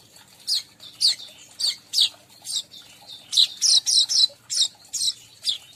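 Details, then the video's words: Lure recording meant to draw in every type of weaver: a run of high, sharp descending chirps, irregularly spaced and bunching into quicker clusters midway, over a quiet low background hum. "suara pemanggil semua jenis burung manyar"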